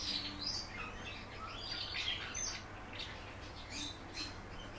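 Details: Captive common house martin kept indoors, giving a run of quick, high chirps and twitters that come in close, uneven bursts, with a steady low hum underneath.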